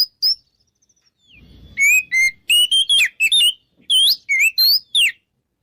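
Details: Lure song of an Oriental magpie-robin in ngeplong style, meant to goad rivals into fighting. A faint thin whistle opens, then loud rising and falling whistled notes and chirps come in rapid bursts over the second half.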